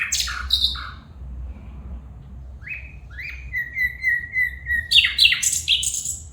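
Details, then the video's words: Female bulbul calling: scratchy chirps, then a series of short, level, whistled notes repeated several times, building into a rapid, harsh, rhythmic chatter. "بلبل پرندہ کی خوبصورت آواز میں فیمل بلبل بلا رہا ہے"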